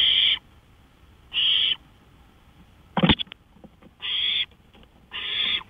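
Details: Owl on a porch at 1:53 AM on 5 May 2013, giving short harsh hissing screeches about every second or so, with a sharp click or knock midway through the sequence.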